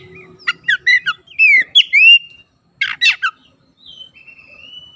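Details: Oriental magpie-robin singing loudly. A few quick sharp whistled notes come first, then slurred upward whistles, a pause, a burst of harsh notes, and a long, faint, gently falling whistle.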